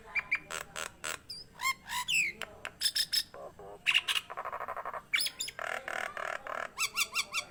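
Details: Nias hill myna singing actively: a fast mix of loud harsh squawks, short clear whistles and rising slurred notes, with bursts of buzzy broadband calls near the end, delivered almost without pause.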